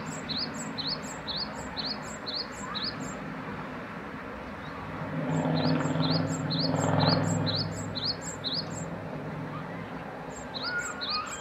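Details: {'caption': 'Great tit repeating rapid paired whistled notes, interrupted midway by a swelling low rumble of a passing vehicle, then resuming.'}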